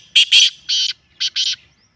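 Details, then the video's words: Black francolin calling, meant to prompt a kept bird to call: a quick pair of harsh notes, a longer grating note, then another rasping pair, in a clipped rhythmic phrase on a quiet background. "کالے تیتر کو بلوانے والی مست آوازیں"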